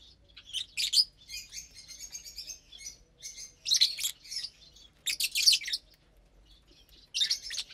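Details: Lovebirds eating a morning meal of vegetables and seeds on Saturday, April 30th, 2022: shrill, high chirping bursts come in clusters about a second apart, with scratchy twittering between them and quiet gaps.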